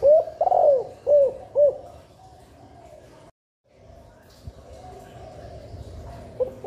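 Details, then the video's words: Low cooing phrase from a female spotted dove, a call to encourage nesting and egg laying and to stir males; a longer warbled coo followed by two short coos, then quiet background with a brief dropout and a faint coo at the end. "Chim cu gáy mái bài bản thúc ổ giúp cu gáy mái sung mau đẻ, cu trống căng lửa, suara terkukur"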